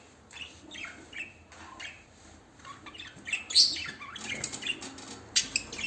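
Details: Shrill, piercing lovebird chirps come in quick bursts, sparse at first, then growing denser and louder toward the end with overlapping squeaky squawks.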